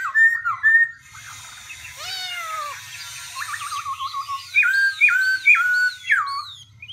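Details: Black-throated laughingthrush alternating voices: warbled whistles and a long low descending slur, a wavering middle passage, then four bright hooked whistles repeated quickly.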